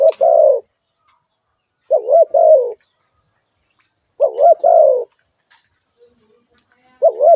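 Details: Spotted dove giving its call: repeated three-part cooing phrases, two short wavering notes then a drawn-out falling coo, about every two seconds, clean and clear with little else audible.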